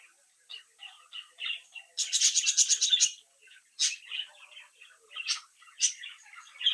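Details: Captive budgerigar chicks chattering and singing; soft chirps, then a second-long rapid burst of about seven harsh repeated notes, followed by scattered squeaks and sharp clicks.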